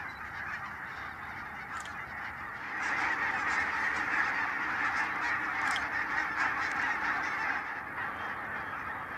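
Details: Huge flock of barnacle geese at the Nijkerk steam pumping station in the Netherlands, part of a growing non-migratory breeding population; dense overlapping yapping honks merge into a continuous chorus, swelling louder after about three seconds.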